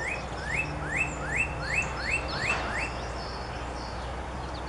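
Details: Spring morning birdsong from a yard, captured on a Canon PowerShot SX50 HS: a regular series of six sharply rising whistled upslurs, about three per second, then fainter chirps, with a low steady hum beneath.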